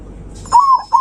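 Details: Zebra dove singing loudly to provoke rivals, one long rolling coo followed by the start of another, cut off abruptly.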